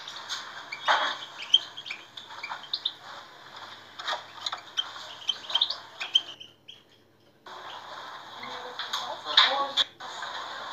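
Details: European goldfinch singing, used to stimulate captive goldfinches: rapid high twittering and tinkling chips in uneven bursts, a short silent pause, then the jangling twitter resumes with a few louder sharp notes.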